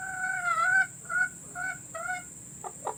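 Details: Domestic hen calls recorded to be played to hens about to lay, meant to lure them into laying: four drawn-out, tonal, slightly wavering calls, the first longest, then two short, low, throaty clucks, over a steady high hiss.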